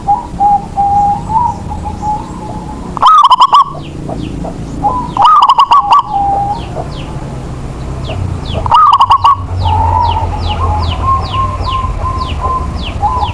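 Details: Zebra dove used as a singing lure for reluctant birds, giving three loud bursts of fast, stammering coos; gentle steady cooing from more doves fills the gaps, and small birds chirp in quick high notes.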